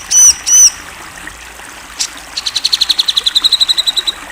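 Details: National champion grey-cheeked bulbul: two ringing, slurred high whistles, then a quick train of evenly spaced sharp chips rising in loudness, about three per second and faster.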